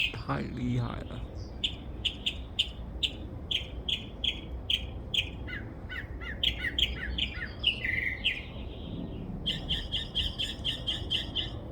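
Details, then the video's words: Backyard bird said to make more than 20 different sounds, twittering in a long run of short sharp chirps, several clustered quickly together, then a fast even burst of repeated notes near the end, over a low steady background hum. "A bird twitterings more than 20 different sounds in my backyard."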